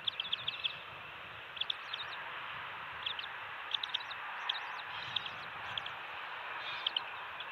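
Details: Bald eagles at a nest on Captiva/Sanibel Island, Florida, with two-week-old eaglets, on the early morning of December 27, 2020, during a shift change and a fish feeding: clusters of short, high chirping notes over a steady broad hiss.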